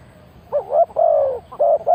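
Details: A spotted dove kept as a decoy to attract wild birds utters a rolling, quavering coo, then a long steady hollow note and a final short pair of coos.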